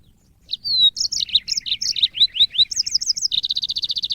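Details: Yellow-fronted canary (African Mozambique bird) song, recorded as training audio for cage birds. Rapid varied high song: clear whistled upslurs, chirpy notes, short rising slurs, then a fast even buzzy trill at the end.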